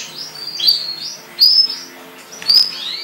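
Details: Canary kept in a cage giving soft, scattered chirps and short whistled slurs, with quiet pauses between the notes.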